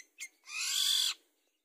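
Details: Long-tailed shrike sound used to prompt birds into singing: a brief scratchy note followed by a long, loud, grating screech lasting more than half a second, then silence.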